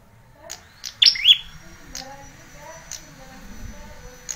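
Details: Bar-winged prinia chirp for training juveniles: a single loud, high, downslurred double note, followed by faint clicks and low background noise.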